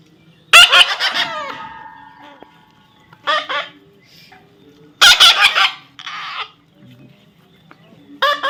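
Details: Young parrot calling in loud, grating screeches: a long rasping squawk, then shorter harsh bursts spaced a few seconds apart, with a quiet steady hum underneath.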